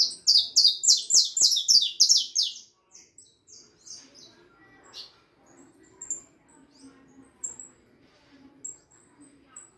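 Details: Harlequin saffron finch fledgling, four and a half months old: a loud burst of fast buzzy descending notes for about two and a half seconds, then only faint scattered high chirps.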